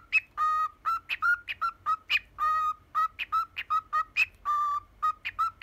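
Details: Ten-year-old pet cockatiel whistling its version of the Hatsune Miku tune "Poppippo": a quick run of short, bright notes with rich overtones, mostly level and mid-pitched, with a few higher upward-flicked notes and some held notes between.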